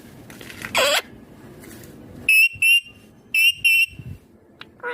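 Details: Indian ringneck green parrot giving four loud, piercing, level shrieks in two pairs, after soft rustling and a brief scratchy sound; a short squeak closes the passage.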